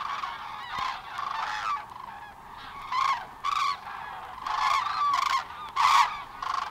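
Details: Field recording of Common Cranes at Matsalu, USSR, 1979: bugling calls come in distinct loud bursts separated by short pauses, with several birds answering one another.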